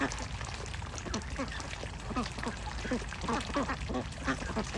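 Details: Ducks with ducklings, with Bashkir and Russian tags pointing to the Agidel area; repeated short nasal quacks and chatter, several birds calling in irregular bursts over low background rumble and faint voices.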